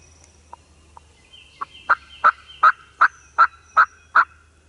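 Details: Eastern wild turkey gobblers sounding off early in the morning in Mississippi; two soft notes, then a steady series of about eight loud, raspy notes spaced evenly, with faint birdsong in the background.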